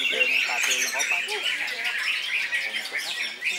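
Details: Greater green leafbird (cucak ijo) singing in nonstop 'koncer' style, loud: dense, fast run of squeaky whistled and chattering notes, sliding up and down, with quick phrases and a few brief lower squawks.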